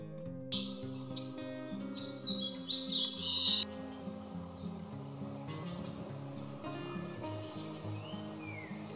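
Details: Warbling vireo (Vireo gilvus) on a nature trail at Sequoyah National Wildlife Refuge, eastern Oklahoma, gives a quick, rambling, high warbled song in the first few seconds, with steady background music throughout.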